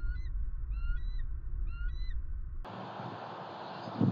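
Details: Eagle at a pond in Southwest Florida, filmed by camera on 23 February 2020: three brief, high, rising whistled notes about 0.7 seconds apart, then an abrupt switch to loud broadband noise.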